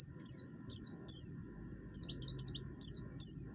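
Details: An oriental white-eye of the buxtoni form, harsh-voiced and used to prompt other birds into song: separate high, steeply falling chirps, some in quick pairs or triplets, over a quiet low hum.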